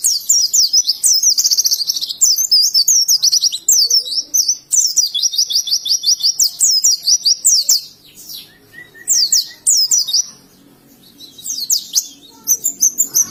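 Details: Ngalas song from an oriental white-eye in Indonesia: long sequences of rapid high chattering trills and slurred whistles, with a few short quiet gaps between bursts.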